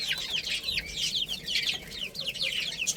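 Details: Little chicks at play and feeding fill the air with shrill, overlapping peeps. Each note is a quick, high, downward-sliding cheep, repeated rapidly by many birds with no pause.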